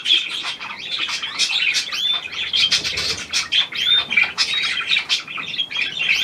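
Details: Budgerigar group chatter around a new hand-tame pied bird, 17 February 2023: dense, bright, high warbled twitters and short whistled chirps running without pause.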